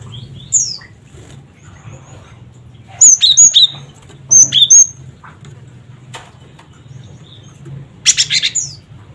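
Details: Cinereous tit calls used as therapy and a lure to set other birds calling: sharp high whistled chips in three short bursts, each of four to six quick notes, over a low steady background hum.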